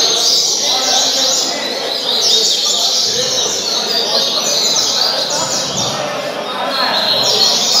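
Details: A novice captive rusty-collared seedeater, already showing its quality, sings a fast, high, continuous twittering song of rapid chirps and trills over a faint room hum.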